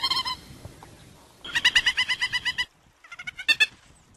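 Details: Peruvian thick-knee of Lima, Peru, giving its song: loud harsh rapidly repeated notes in rhythmic series, about a dozen pulses in one burst, then a shorter rising burst, rich in harmonics.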